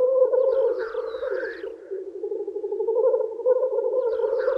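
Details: Lekking black grouse males in spring, displaying to females, give an unbroken low purring bubble, with a loud hissing whoosh in the first two seconds and another starting at the end, plus faint high chirps.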